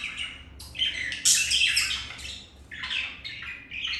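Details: Pet budgies mating indoors; loud grating squawks and rapid chirps in two bursts separated by a brief lull, faint room hum.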